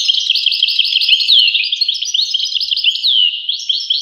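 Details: Goldfinch song, a steady stream of quick tinkling chirps and slurred downward notes, bright and twittering without pause.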